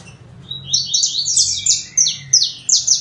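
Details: Saffron finch singing: a lively run of bright, high chirps and down-slurred notes, picking up pace, with sharp loud accents about every third of a second toward the end over a faint low hum.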